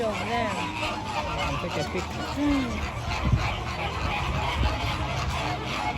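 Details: Flamingos honking in a crowded group: nasal, goose-like calls with short rising and falling notes standing out over a continuous chattering flock chorus.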